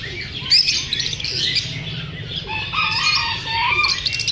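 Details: Chirping lovebirds, uneasy about being filmed, make high twittering calls and a few harsher mid-pitched squawky notes, with possible wing flutters.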